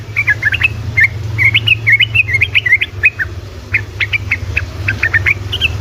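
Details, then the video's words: Sooty-headed bulbul delivering busy 'ropelan' song meant to provoke other bulbuls to reply: jerky, rising whistled notes strung closely together, then scattered sharp chirps, over a droning low hum. "Trucuk ropelan GACOR🔥‼️ amunisi untuk burung trucukan malas bunyi otomatis langsung nyaut"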